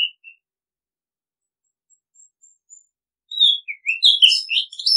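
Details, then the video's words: Song of an Oriental magpie-robin: a couple of soft whistles and faint high notes, then a rich, rapid phrase of sliding, warbled whistles filling the final two seconds. "Oriental Magpie Robin Sound Long play เสียงร้อง นกกางเขนบ้าน"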